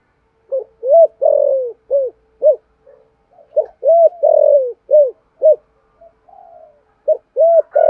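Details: Spotted dove cooing and calling, used to stir up other doves; arched, hollow coo notes in bursts of short and drawn-out syllables, with quiet gaps and soft murmurs between.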